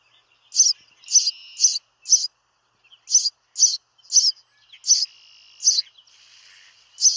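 House sparrow giving bright, high chirps, singly and in quick pairs, about every half second with brief pauses; no other sounds.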